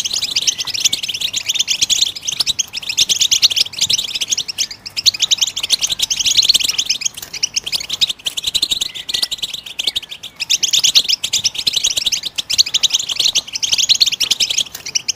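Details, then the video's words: Goldfinch song meant to stimulate other birds, a long unbroken stream of fast high twittering and buzzy trills that rises and falls in intensity, with brief pauses every few seconds. "How do you make your bird goldfinch song in its first minute ?"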